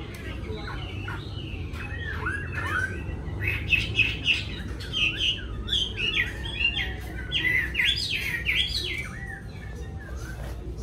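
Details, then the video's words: Caged yellow-billed Chinese hwamei kept at home in Vietnam pouring out rapid looping whistled phrases, several notes a second, against a low hum and faint speech. "Họa mi MỎ VÀNG"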